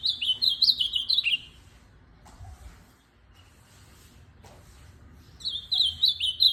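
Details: Ultramarine grosbeak kept as a tournament bird, delivering a fast, warbling phrase of rising and falling whistles; after a pause of about four seconds a second phrase begins, over soft background hiss.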